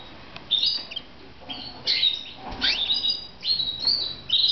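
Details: Pet red mosaic canaries in Moudania trade quick, high chirps and sliding whistled notes. The bursts tumble close together, with a faint tick near the start.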